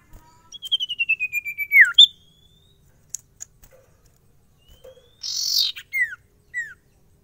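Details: Caged Ashy Tailorbird (sirtu) in song: a descending trill ending in a falling sweep, a thin rising whistle, then a harsh noisy burst and two short downslurred notes.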